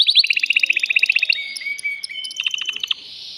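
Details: Agitated caged male canary singing to rouse a female for breeding. A quick run of sharp repeated chips slides into a smooth whistled stretch, followed by a short burst of clipped notes and a fading buzz.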